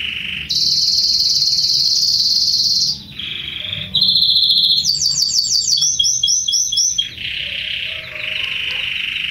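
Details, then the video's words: Young Belgian canary singing loudly, a run of high sustained buzzy tones switching pitch every second or two, broken by a quick series of repeated chirping notes, then a lower steady rolling trill. "canario belga novo cantando bonito."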